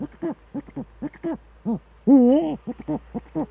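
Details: Eurasian eagle-owl pair duetting in the Eifel, Germany, on 13 December 2013 at 17:25, with the male at the nest: short low hoots in quick pairs and triplets, broken by one longer wavering, rising-and-falling call.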